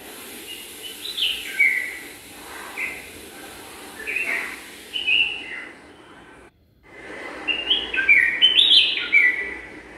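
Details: Bulbul pair preparing a nest in a garden, checking each corner of the nest, giving bright, bubbly chirps and short liquid phrases in bursts, with a brief quiet gap midway and faint background hiss.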